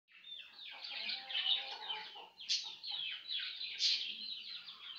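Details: Budgerigars, pet birds, one missing a wing, chatter in a steady stream of high, scratchy warbles broken by sharp chirps.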